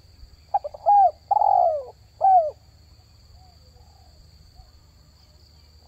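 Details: Spotted dove call used to attract wild doves: one phrase of a short note, a clear coo, a long falling coo and a final sharp coo, followed by quiet with a low hum.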